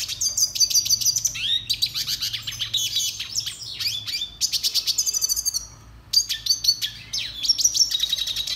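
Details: Red siskin (Spinus cucullatus) singing for song training: a long, dense, high-pitched twittering stream of rapid chirps, rising sweeps and metallic buzzy trills, broken by one short pause near the end.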